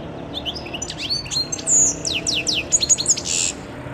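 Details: European goldfinch recorded in 2011, a quick jumble of high thin twittering notes and sharp downward slurs, with one buzzy note, over a steady background hiss.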